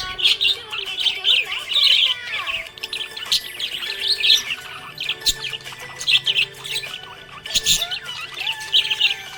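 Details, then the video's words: Happy pet budgerigar chirping: continuous warbling chatter of quick scratchy chirps and short whistles in irregular bursts, over a faint steady tonal background resembling music. "Happy budgie chirping sound"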